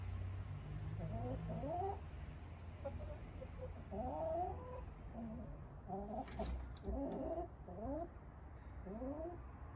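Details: Contented hens from an urban flock settling at bedtime: a run of short rising clucks and quavering murmurs, repeated every second or so, over low background hum and a brief clatter.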